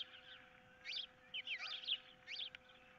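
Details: Ospreys squabbling over a fish at a monitored nest, 15 April 2023, some intruder nearby; a quick run of thin, piping, rising chirps packed into three seconds, with a faint hum behind.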